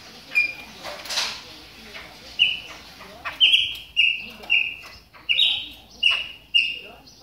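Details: Chopi blackbird warming up its voice during moult: after a quiet start, a run of short, clear whistled notes at a steady high pitch, about one every half second, with faint rustling between them.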